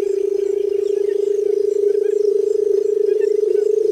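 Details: Barred buttonquail calling: a steady, low humming drone held at one pitch for the whole stretch, with a fast purring pulse running through it and no breaks.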